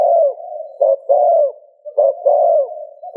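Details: Spotted dove coos meant to stimulate another dove: a trailing coo, then two two-part phrases, short clipped note and a longer falling coo, over a steady low drone.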